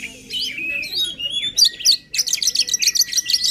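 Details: White-rumped shama song used to spur a quiet bird: long smooth whistles open the phrase, then a brief pause and a rapid, buzzy trill-like series of repeated high notes.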